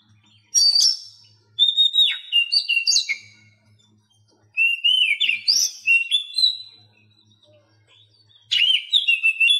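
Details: Oriental magpie-robin song for training captive birds that are silent or reluctant to sing; three bursts of loud whistled phrases with sliding, descending notes and sharp chips, separated by pauses, with faint low hum underneath.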